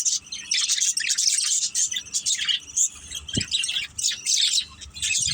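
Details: Playing budgie family, pet birds, producing quick high chirps and scratchy warbled phrases in clustered bursts, with a single brief low knock midway.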